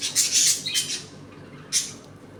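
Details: Captive budgerigars in a home colony, eating, playing and sometimes fighting: loud, harsh high squawks crowded together in the first second, then a single sharp screech after a brief pause.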